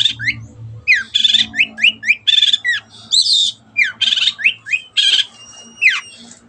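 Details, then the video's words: Energetic Long-tailed shrike (cendet) in a master recording for other birds to learn from: rasping squawks traded with steep falling whistles, repeated in a chattering rhythm, a low droning hum underneath. "MASTERAN BURUNG CENDET GACOR JADIKAN BURUNG KESAYANGAN ANDA SEMAKIN GACOR DENGAN SUARA JERNIH"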